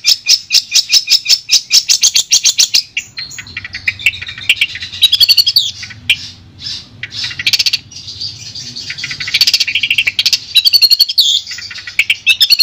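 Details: Long-tailed shrike song for sound therapy aimed at a shrike that no longer sings: a quick high trill gives way to a jumbled, varied warble of scratchy and whistled phrases with shifting pitch.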